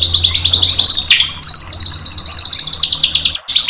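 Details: White-rumped shama tutor song to provoke a bird into replying: a quick pulsing high trill, a sharp downward swoop, then a long, buzzy, rapidly repeated high trill ending with a short cut and a final burst.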